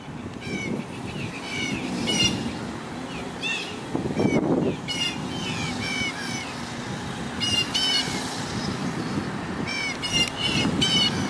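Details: American Crows mobbing a Great Horned Owl perched on a roof, alongside blue jays, give harsh, repeated caws in overlapping bursts, several birds calling at once, over steady traffic rumble and outdoor noise.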